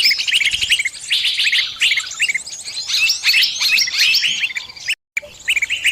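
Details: High-pitched distress chirping from a bird caught and calling for help: quick bursts of sharp notes and twitters, with a short silent cut shortly before the end.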